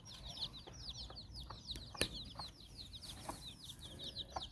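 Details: Hen with her nine chicks exploring in Bizkaia, Basque Country; busy high downslurred peeps from the chicks with regular brief low clucks from the hen and one sharp knock.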